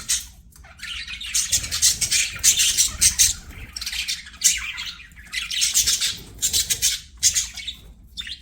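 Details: Singing budgerigars at play give rapid high chirps and grating squawks in clustered bursts, the chorus rising and falling over several seconds.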